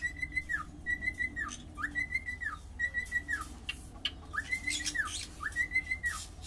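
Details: Singing cockatiel giving six similar whistled phrases in quick succession, each rising, holding level and falling at the end, with soft clicks and scratchy noises between phrases over a low background hum.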